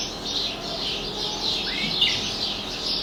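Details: Caged canary kept as a pet sings along with outdoor birds beyond the window. An unbroken, high rolling trill runs throughout, and a brief rising whistled sweep cuts in near the middle.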